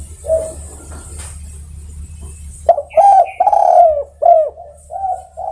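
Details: Spotted dove calling other doves: a faint coo amid low rumbling, then after a quiet stretch a loud burst of full, falling coos in quick succession, with sharp clicks and a final softer pair.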